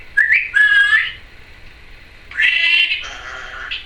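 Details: A female pet Timneh African grey parrot gives two bursts of chatter: rising whistles and squeaky, warbling notes around a second long, with a pause between them.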